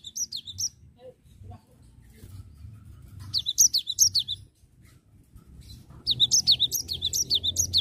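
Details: Cinereous tit repeatedly breaking into ngerol song, three bursts of fast high descending chirps, each a second or more long, with soft low background noise between.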